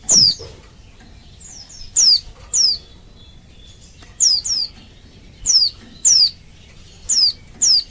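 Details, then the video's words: Female Oriental white-eye in breeding condition calling to males, used as a lure to get males singing: thin, high, sharply descending whistled notes given singly or in quick pairs, about nine over eight seconds, with quiet gaps between. "Suara Burung Pleci Betina Memanggil Jantan"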